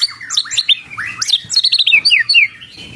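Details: White-rumped shama song with cililin fill: dense, varied whistled notes sweeping up and down, many quick slurred phrases and sharp high chips packed together for three seconds, with a faint low hum beneath.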